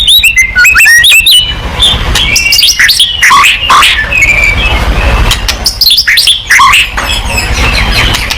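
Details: White-rumped shama song meant to provoke singing: fast, varied whistles, chips and slurred phrases in dense overlapping bursts, with a low rumbling background noise.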